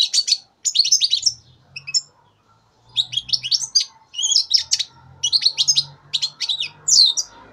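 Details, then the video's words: Three-month-old juvenile European goldfinch from 2015 delivering choppy twittered song: clusters of quick high chirps and trills in short phrases, with a faint low hum underneath. "Φετηναρι 2015 καρδερίνα"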